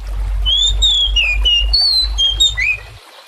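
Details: Oriental magpie-robin lure song meant to draw song from other birds: a run of clear, slurred whistles rising and falling over a strong, steady low rumble that stops near the end.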